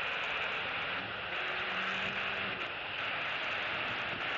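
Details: Steady, loud broadband rushing noise like wind or an engine, with a faint low hum partway through and no animal calls.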